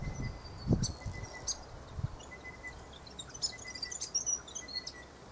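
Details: Grey fantail moving about an Aleppo pine tree, uttering scattered thin, high-pitched ticks and chips in irregular bursts, with low thumps and a steady faint whining tone behind.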